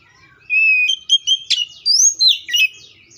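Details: Oriental magpie-robin (Copsychus saularis) singing a lively phrase of sustained clear whistles and abrupt slurred notes, rising and falling in pitch, with a few sharp clicks mixed in.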